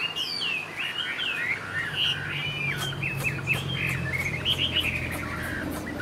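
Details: Tame captive Chinese hwamei with a fanned tail, singing a rich, continuous run of varied whistles, slurs and trills that rise and fall without pause, over a low steady hum.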